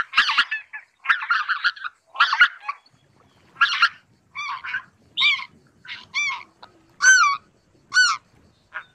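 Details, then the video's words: Rough, gabbling goose chatter opens, then clear, high, upward-curving honks follow at about one per second from greater white-fronted geese. "白額雁/Greater White-fronted Goose"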